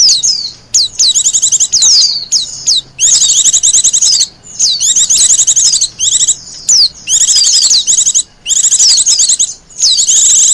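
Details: Long run of wild Japanese white-eye song, used for luring and as master song: repeated bursts of shrill fast chattering trills and swooping whistles, roughly one phrase per second with short pauses.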